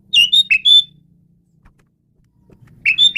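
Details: Asian pied starling, a caged bird kept for tutoring other songbirds, giving two short bursts of loud whistled and chattering notes with a quiet pause between, over a faint low hum.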